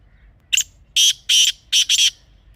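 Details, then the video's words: A black francolin (kala teetar) recorded outdoors calls once: a sharp introductory note, two long grating rasps, then a hurried pair of harsh notes, strong and clean over a hushed background. "Real Kala Teetar Sound"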